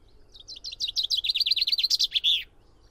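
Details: Common chaffinch singing one loud, quick song of about two seconds: a run of bright, repeated high notes that speeds up and steps slightly down the scale, then ends in a short, emphatic flourish. The background is quiet.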